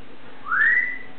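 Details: Pet Amazon parrot giving a single clear whistle indoors, rising smoothly then holding steady for about half a second before fading.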